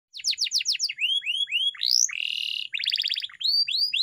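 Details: Canary training song: series of rapid downward-sweeping whistles, then rising slurred notes, a buzzy sustained trill and a fast rattling roll, all high-pitched and clear.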